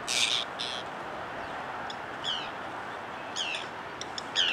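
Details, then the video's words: One Glaucous gull on a jetty with Forster's Terns at Cape May wetlands, New Jersey, USA, gives two harsh, raspy squawks, then three drawn-out, down-slurred cries spaced about a second apart, over a steady rush of wind or surf. "Glaucous Gull"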